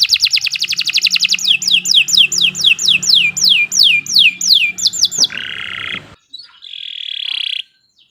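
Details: Canary song, a long continuous training-style performance: rapid high trill, then a run of repeated downward-sweeping whistled notes about every third of a second, a short buzzy harsh phrase, and a final brief buzzy note.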